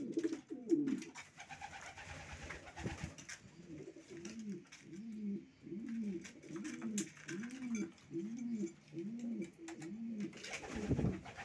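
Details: Racing pigeon cooing in a steady series, rounded low coos repeated about once a second for several seconds, between bursts of rustling and knocking.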